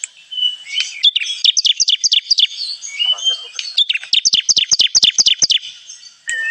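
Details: Bar-winged prinia lure call for trapping: two long runs of quick, sharp, high chirps separated by a short softer gap, ending with a brief lower note.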